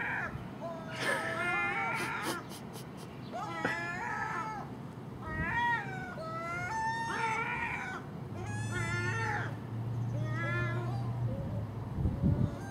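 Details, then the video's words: Early-morning common gull scavenging household garbage left out at night alongside a magpie and a crow; repeated bent, nasal mewing cries, with a short harsh chattering burst near the start and low rumbling noise beneath. "Common Gull Magpie and Crow making noise at early morning"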